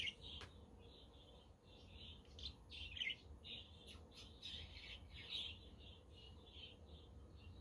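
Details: Budgerigars in a group chatter on a windy but sunny day, kept as pets: a quiet, continuous run of warbled chirps and squeaks over a steady low rumble of wind. A Quaker parrot and a conure are also present.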